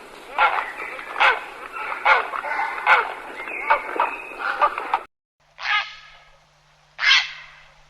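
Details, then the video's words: Grey heron calling, a lure sound for bird hunting: a dense sequence of harsh, overlapping croaks and rasps lasting five seconds, a pause, then two isolated coarse calls about a second and a half apart. "Grey Heron call sound"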